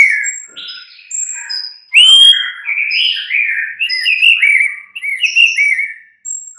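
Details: White-rumped shama song, played in the mid-morning as a lure to get other shamas to answer and sing loudly. Varied rich whistled phrases, rising and falling, with thin high notes layered above and short pauses between bursts.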